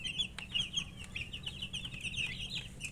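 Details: Chicken chicks feeding and chirping together, a busy stream of high, thin peeps tumbling over each other without pause, a few sharp clicks between them and a steady low hum underneath.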